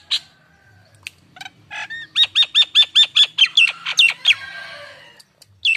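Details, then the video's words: Caged Nias hill myna pancingan sounds: a few scattered squawks and chips, then a rapid string of loud, clipped, ringing notes that turns to looping, twisting calls before fading. "Pancingan Awal si burung jalak Nias bakalan"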